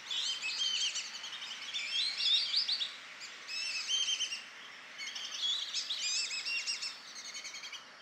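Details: Young male Amazon kingfisher singing from vegetation bordering a park lagoon in Campinas, São Paulo, Brazil, 2 April 2016 at 07:32. It gives high, dense, rattling chattering in two long runs split by a short pause. A flock of black-bellied whistling ducks calls in the background.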